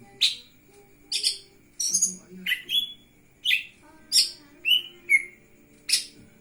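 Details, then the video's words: Lesser green leafbird in vigorous song, wings opened: a lively string of high, scratchy and whistled chirps, some buzzy and some sliding, coming in close succession for several seconds. "burung cucak ijo mini gacor buka sayap"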